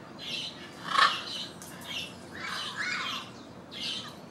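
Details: Yellow-crowned amazon interacting with a blue-and-yellow macaw in Caracas, Venezuela gives harsh, raspy squawks in short bursts, roughly one each second, with a louder grating cry near the start; the macaw also calls nearby.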